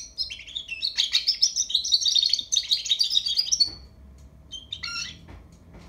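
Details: Young European goldfinch learning to sing, pouring out a dense, rapid tinkling warble for several seconds, then falling quiet apart from a couple of short chirp clusters.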